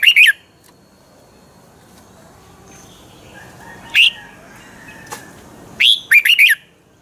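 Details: Thai red-whiskered bulbul from Pa La-u, double-style song: a phrase opens, a lone sharp note follows midway, then another bouncy phrase of four whistled notes ends it.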